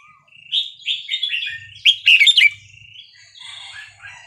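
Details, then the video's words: Red-whiskered bulbul, Burmese-style 3-4-5-6 song for coaching young birds: a quick run of descending whistled notes leads into one loud tumbling burst, then softer, more distant warbles trail off. "นกกรงหัวจุกเพลงถิ่นพม่า 3-4-5-6 เปิดสอนลูกนก ยั้วนกฟังนกคึก"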